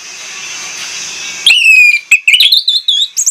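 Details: Orange-headed thrush singing a lure song meant to draw out another bird's full repertoire. After a stretch of steady hiss come loud whistled notes, then a quick run of short, varied chirps and slurred whistles.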